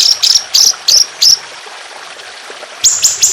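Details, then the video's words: High, sharp whistled notes from a trotolan songbird, four quick notes, a pause, then three more, set over a constant background of trickling water in a songbird training recording with long harsh 'tembakan' phrases. "Masteran Burung Trotolan Jahat Tembakan Panjang Kasar Ngedur"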